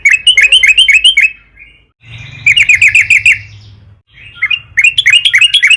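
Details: Long, energetic yellow-vented bulbul song meant to provoke singing: three bursts of quick, bright, warbling chirps, each about a second or two long, with low humming background between phrases.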